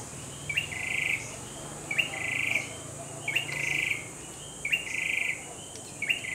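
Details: Singing grey-backed tailorbird giving five quick phrases, each opening with a sharp upward flick and running into a dry rattling trill, repeated roughly every 1.3 seconds; insects hum steadily in the background.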